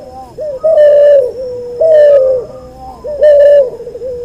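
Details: Training recording of a hybrid cuhu dove from a white albino puter and puter pelung: three level resonant coos, each trailing into a quieter falling note, repeated roughly every 1.3 seconds.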